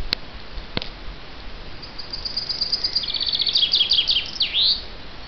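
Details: Singing chaffinch: a rapid trill of high notes speeds up and tumbles downward, then ends in a sharp rising-falling flourish. A couple of brief clicks come just before it.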